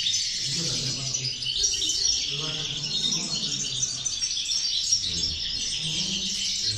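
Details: Six-batch 'corona de caderneras' where one goldfinch is singing hard; sparkling high twittering flows continuously, with faint low murmurs underneath.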